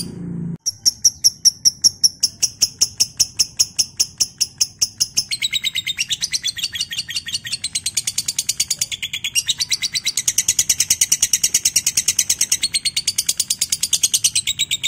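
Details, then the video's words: Lovebird ngekek used as a training recording to get other lovebirds trilling: a brief low noise, then a long, regular run of sharp high chirps that shifts midway into a rapid, dense, buzzy chatter lasting to the end. "Pancingan LB (love bird) anda biar cepat ngekek"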